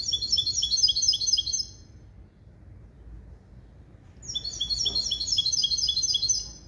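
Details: Hybrid bird bred from a male goldfinch and a female canary, schooled in clean limpio song built from goldfinch base calls: two bursts of fast, high, tinkling trills separated by a silent gap of about two seconds.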